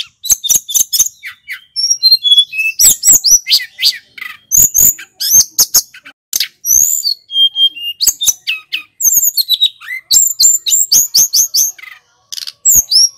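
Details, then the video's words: Snowy-browed flycatcher in lively full song, used to train other songbirds: a dense, continuous stream of very high, thin whistles, trills and quick chirping notes running for thirteen seconds with only brief gaps. "Suara tledekan gunung gacor"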